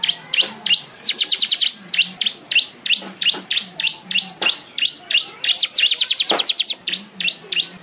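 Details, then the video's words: Weaver (manyar) chattering: irregular clusters of high, sharp chirps and quick trills, with scattered lower notes in between. "suara burung manyar"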